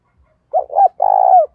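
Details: Decoy spotted dove cooing to lure other doves: a short clipped note, a second note, then a long sustained coo that slides down at the end, mellow and low, over a quiet background.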